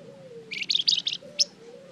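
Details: Singing flamboyan, played as a lure to make other birds respond: a quick cluster of high, dense, buzzy chirps followed by one sharp single note, with a soft sliding tone in the background.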